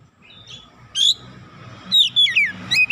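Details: Oriental magpie-robin singing its varied repertoire as a lure for other magpie-robins: a soft opening note, then a sharp burst and a quick run of descending whistled slurs near the end, over a low background hum.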